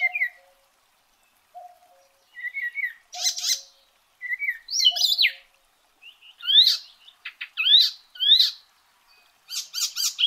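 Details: Song of the Icterine warbler (Hippolais icterina): spaced phrases of low whistled notes, harsh buzzy bursts and steeply falling sweeps, delivered in short separate bouts with clean gaps between them.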